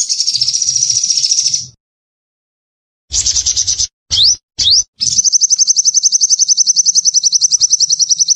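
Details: A sunbird in full active song, used as a training, lure or bathing-time recording, sings very high, thin, rapid trills: a quick burst, a pause, short rising chirps, then a long steady buzzy trill.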